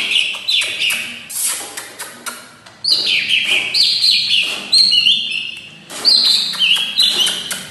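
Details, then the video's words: Greater green leafbird, an active singer with many learned song elements, pours out bright, high whistles and chattering phrases in varied bursts of two to three seconds, with faint tapping in the background. "Burung Cucak ijo Yang sudah Gacor Dan Banyak isian"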